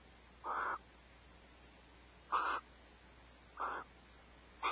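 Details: Barn owls at Starr Ranch, just before 5 am on 1 January 2012 while sharing a vole meal, give short, harsh, rasping screeches, each about a third of a second, repeated roughly every one and a half seconds over faint hiss.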